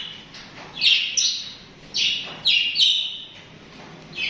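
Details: Budgerigars (parakeets) kept as pets chirp and chatter. Short, bright, high chirps come in clustered bursts, with a few quieter gaps between groups.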